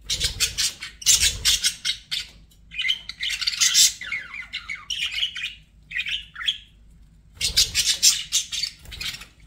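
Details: Pet budgerigars chattering, played to calm stressed or lonely birds: rapid scratchy chirps and warbled twittering in dense bursts, a pause midway, then more fast clicking chatter.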